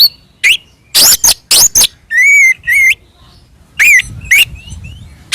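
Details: Fighting song of an Oriental magpie-robin, used to provoke other birds: harsh rasping bursts alternating with clear warbled whistles that rise and twist, delivered in short separated phrases.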